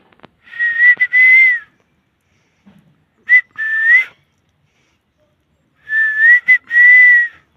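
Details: Pet parrot whistling in three bursts of clear, tonal notes near one steady pitch, each burst of two or three slurred whistles with slight upward bends, separated by silences of about a second and a half; quiet room, no other sounds.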